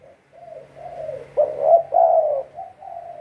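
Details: Trapping-decoy spotted dove opening with faint low coos, then two stronger hoarse notes and a trailing softer one.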